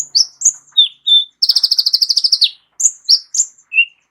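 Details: Varied whistled notes and slurs from a Van Hasselt's sunbird with a full repertoire, used as a vocal tutor for songbirds, broken by a one-second burst of fast sharp chips before more ringing whistles.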